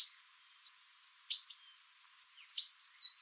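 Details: White-lined tanager female at a Brazilian yard alongside sayaca and palm tanagers: a quiet start, then sharp high chips running into thin sliding whistled notes and twittering.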